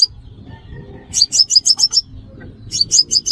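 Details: Sunbird calls used as a trapping lure: two bursts of sharp, very high, rapidly repeated chips, each a quick downward flick, separated by a quiet gap, over a low hum.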